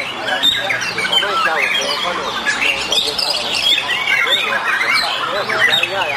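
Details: A White-rumped shama at a song competition pours out a dense, rapid run of rich whistles, harsh squawks and chattering notes, with other birds and human voices in the background.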